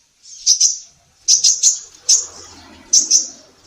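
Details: Female sunbird singing for a songbird training recording: high, thin chirps in paired and tripled bursts, roughly one burst per second, each with a ringing tail, over a faint low background hum.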